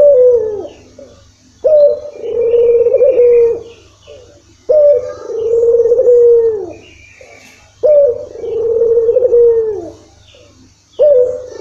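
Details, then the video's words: Barbary dove (puter) coos used as a lure to start a reluctant dove calling; long, steady low coos, each slightly rising then falling at the end, repeated about every three seconds, in a small indoor space. "pancingan PUTER malas bunyi."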